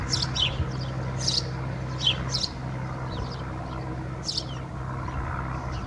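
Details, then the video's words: Singing house sparrow inside a swallow's nest at Alikes, Kitros, Greece, giving clusters of sharp, high chirps and tweets separated by short gaps, over a steady low hum. "Passer domesticus singing into a swallow's nest"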